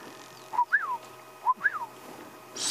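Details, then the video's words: Orioles calling around a safari vehicle at sunrise on 29 February in Sabi Sands Reserve give liquid, fluty whistles, each a short note and then a slurred falling phrase. "around us the Orioles are calling"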